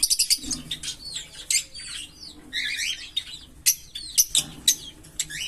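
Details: Green Fischer's lovebird pair singing: quick sharp chips opening, then tangled high slurred twitters and repeated loud clicks spaced about half a second apart.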